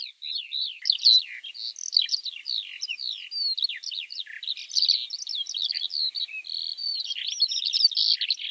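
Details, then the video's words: Unbroken, high-pitched Eurasian Skylark song of quick chirping and warbling phrases, slightly softer at the start, ending in dense buzzy trills, rattles and fast repeated notes. "Eurasian Skylark"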